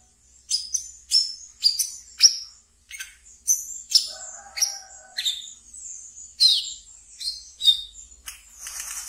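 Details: Captive brown-throated sunbird in ngeriwik song, used as a lure for training: rapid high chirps falling in pitch, about two per second, with a brief lower steady tone partway through.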